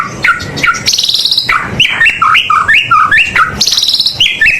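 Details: A white-rumped shama sings nonstop with full 'isian' as a lure for birds at home. High rattling trills frame a run of bouncing whistled notes that rise and drop about twice a second.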